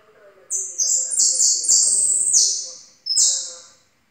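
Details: Yellow jilguero song with strong, high, sweeping whistles that drop in pitch, joined into a sustained phrase, then a short pause and one more falling note, with faint low tones beneath.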